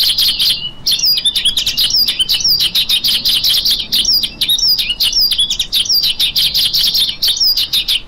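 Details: After a brief buzzy opening note, a lark pours out a long, fast flow of sharp high chirps and flicking slurred notes, densely packed and nearly unbroken.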